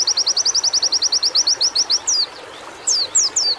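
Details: White-eye singing in therapy audio intended to get birds singing: a rapid, even burst of about eighteen very high notes, a pause, then several separate descending slurred whistles.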